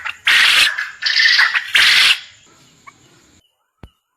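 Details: Master recording of quail calls for training quail to call lively (gacor) for contests: three loud, harsh, rasping bursts in quick succession, then quiet with a single faint click.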